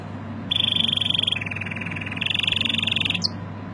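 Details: Canary singing strongly, a fast rapid trill of repeated high notes in bursts, shifting pitch between phrases and ending with a short upward sweep, over a steady low hum.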